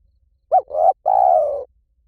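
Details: Spotted dove calling one phrase: a brief hooting note followed by two mellow coos, the last drawn out, slightly rough and slowly falling in pitch. Otherwise quiet.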